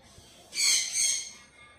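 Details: A Goliath macaw eating green bell pepper gives one harsh, raspy screech in two quick surges, lasting under a second, against quiet room noise.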